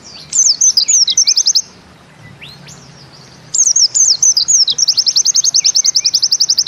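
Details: A white-eye, the Bustomi pleci, sings 'nembak ziperrr': looping high whistles lead into quick clipped notes. After a pause, the looping phrase returns and grows into a long, fast, steady trill.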